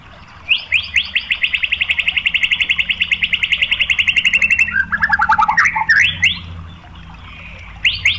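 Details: White-rumped shama (murai batu) song in the full 'tembakan' style, used as a lure to provoke other shamas: a long, fast run of repeated notes slowly falling in pitch, then lower twisting phrases, a pause, and a new rising burst.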